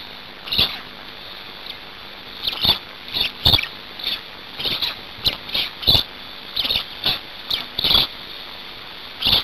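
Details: Black storks at a Hungarian nest during feeding, 5 May 2019, 17:02, give short high wheezy bursts that repeat roughly every half second to second over a constant hiss.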